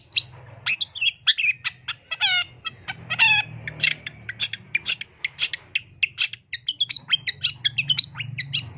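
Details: Long-tailed shrike singing strongly with varied fills: nasal, harmonic phrases among fast sharp chips and slurred whistles, in a dense, continuous jumble.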